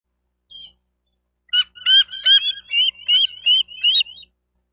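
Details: Bald eagle at a wild nest in Miami-Dade County, Florida, 28 May 2023, nest camera: one short squeal, then a loud rapid series of high chittering, piping notes, about ten in quick succession, on a quiet background.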